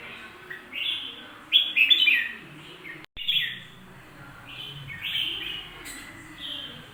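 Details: Bulbul song: a loud chattering warble, a brief cut of silence, then softer slurred whistles that rise and fall, over a low background hum.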